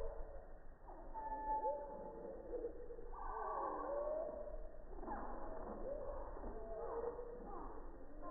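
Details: A hummingbird's song near a busy feeder on a quiet morning, recorded about 3 feet away at 240 fps slow motion, turning fast chirps into deep, drawn-out glides and warbles over a low hiss.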